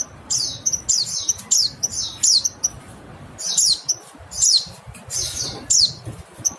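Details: Mountain white-eye calling: bright, high chirps with quick downward-slurred notes in short bursts roughly every half second, over a faint low background hum.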